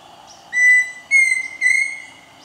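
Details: At Chapada dos Guimarães, Mato Grosso, Brazil, a Pheasant Cuckoo sings three clear, pure whistled notes about half a second apart, each slightly rising, over a faint low hum.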